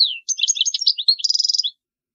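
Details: Brief phrase of European goldfinch song meant to teach young birds: quick jumbled twittering notes ending in an evenly repeated, rapid run of bright notes, then silence.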